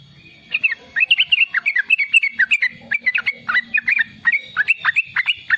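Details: Riwikan-style singing by a young yellow-vented bulbul, used to stimulate and teach wild-caught and young bulbuls: after a quiet start with low hum, quick runs of bubbly, up-and-down chirps in clustered bursts.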